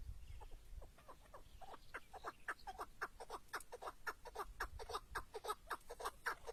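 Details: Chukar partridge, a tethered decoy bird calling outdoors during a hunt, gives a long run of short, clipped chucking notes that start slow and quicken into a rapid, fairly even series, with a faint low rumble of wind.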